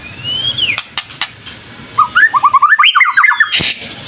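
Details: Murai batu lure song: one long rising then falling whistle, a few sharp clicks, then a quick run of short whistled notes stepping upward, closing with a burst of noise.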